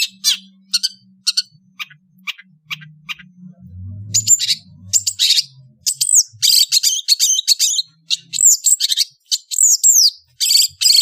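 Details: Indonesian long-tailed bird on an afternoon: scattered sharp clicks over a faint low hum, then loud, rich, sweeping and scratchy song phrases in quick bursts during the second half.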